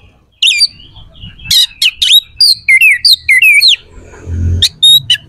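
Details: Oriental magpie-robin singing harsh, sharp phrases used to provoke rival males; buzzy notes, rapid downslurred whistles repeated several times, a short low thump near the end.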